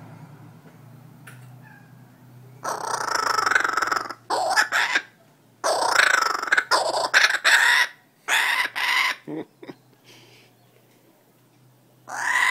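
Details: A tame wild laughing kookaburra outside a house, gripping a person's finger in possible male dominance behaviour, gives loud, raucous cackling bursts in several bouts of one to two seconds, separated by short pauses.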